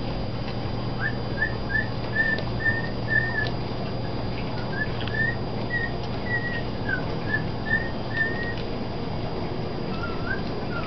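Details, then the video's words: Pet father bird singing to his chicks, a couple of days old, in the nest: a long run of soft, short whistled notes, evenly spaced about two per second, over a steady low indoor hum. "Coco singing to his babies in the nest"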